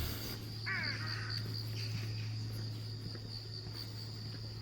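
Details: A crow, one of many heard each morning on a Namhansanseong Fortress trail in early autumn, gives a single hoarse, slightly falling caw near the start, over a steady low hum and a thin, high insect-like drone.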